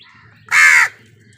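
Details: One loud, raspy crow caw, short and harsh with a slight downward end, over a low steady hum, recorded as wild birds fight crows for food.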